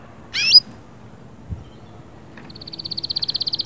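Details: Canary singing to bring a female into breeding condition: a single sharp downward chirp, then after a pause a fast rolling trill of pulsed notes that steadily grows louder.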